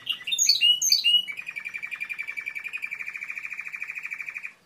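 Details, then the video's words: Timbrado canary opening with loud, sharp, high chirps that fall in pitch. These lead into a long, steady, rhythmic rolling trill at a middle pitch that fades out at the end. "تسجيل طائر كناري تمبرادو"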